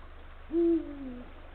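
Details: Low, booming hoot from a male Eurasian eagle-owl calling to the female at the nest, late afternoon, 17 February 2023 at 16:45. Opens with a quick rise, holds strongly, then tails off in a long descending slur. Light background hum.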